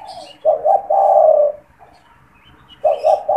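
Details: Caged spotted dove kept as a lure to draw wild doves, calling loudly: a short double coo followed by a long steady hoarse note, then a fresh phrase starting, soft distant chirping in the background.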